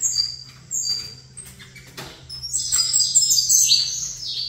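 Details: Saffron finch named Colômbia COT, placed facing another saffron finch: after a quieter start, a dense burst of high, sharply descending chirps and trills fills the second half, over a faint steady low hum.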